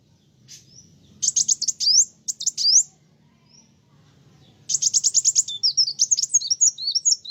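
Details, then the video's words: Sunbird in full, lively song that riles other birds: bursts of rapid, high chirped notes in quick rattling runs, pauses, then a longer twittering phrase of sliding whistles, over a faint low hum. "Kolibri wulung gacoorr bikin burung lain emosi"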